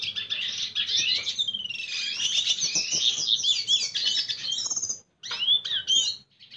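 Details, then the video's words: Red siskin courting a female with song: an unbroken rush of high twittering and buzzing warble for about five seconds, then a short silence and a few separate sweeping chirps. "Pintassilgo venezuelano cantando sedutora fêmea - Red siskin singing"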